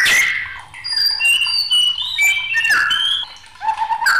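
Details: Agitated white-rumped shama giving clear, high whistles that step up and down, mixed with harsh rasping notes and a low, falling whistle near the end.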